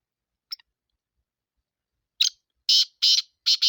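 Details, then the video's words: Sindhi black francolin: a faint early tick, then a short harsh note and three loud, scratchy, buzzing syllables in rapid succession, the phrase cut off at the end. "کالا تیتر کی آواز سندھی کالے تیتر کی مکس آوازیں"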